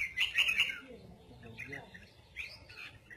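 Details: Red-whiskered bulbul in 'giọng kép' (double voice) song, opening with a loud, rapid trill of clear whistled notes, then softer scattered chirps and a final short warbled phrase, with a faint low rumble beneath.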